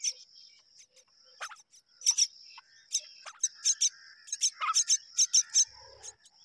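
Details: Myna pair rearing babies; scattered clicks and a couple of falling squeaky notes, then a series of loud rasping bursts near the end, over a persistent thin high tone.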